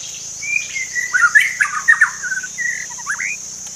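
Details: Forest magpie-robin giving a run of whistled notes, slurred and warbling, with a steady high insect hum behind.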